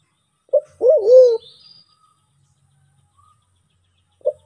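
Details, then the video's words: White-faced cuckoo-dove (Turacoena manadensis), a Sulawesi endemic, giving a lure call: a low, hollow cooing note, then a longer wavering, swooping coo, with another short coo a few seconds later; faint higher chirps from other birds behind. "SUARA MERPATI HUTAN; Suara pikat merpati hutan sulawesi"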